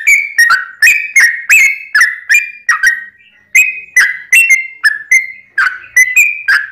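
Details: Sooty-headed bulbul singing in the long rapid-trill style used to provoke other birds into song: steady chains of short, bright whistled notes, some rising or falling, with one brief pause midway.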